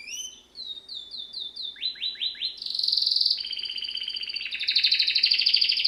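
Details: Canary singing: a run of descending whistled slurs, then fast downward sweeps, shifting into dense buzzy rolling trills held at a high pitch, phrases changing every second or two.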